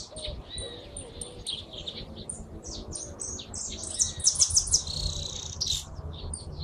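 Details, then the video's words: Hooded siskin singing a fast, high-pitched jumble of chirps and sweeping notes, with a bright run of quick repeated buzzy elements in the middle, steady low hum beneath. "Jilguero argentino"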